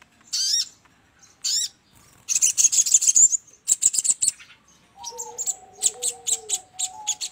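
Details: Trapping lure of the sogon, or crimson sunbird: two looping upswept calls, dense high twittering bursts, then evenly spaced sharp chirps over low gliding whistles.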